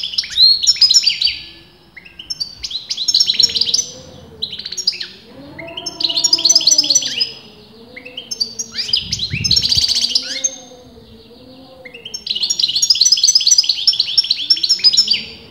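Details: Continuous song of a kept European goldfinch of disputed sex: repeated bursts of fast, chattering twitters and jingling notes, with faint low wavering tones in the background between phrases.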